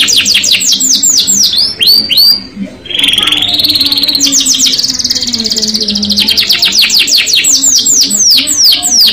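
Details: Lively canary song in the rolling, shooting style: quick high downsweeping whistles, a short pause, then an extended buzzy roll and a run of rapid repeated sweeping notes, low steady hum behind.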